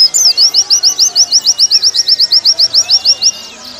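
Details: Warbling white-eye song from a training recording for caged birds: a rapid run of about twenty high, clipped notes repeated steadily for over three seconds, then fading to a quiet background.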